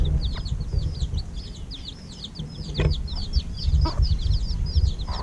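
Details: A crowd of chicks just over a week old, fed in the evening, peeping nonstop: thin, high, rapid cheeps overlapping, over a low rumble of background noise and a few soft knocks.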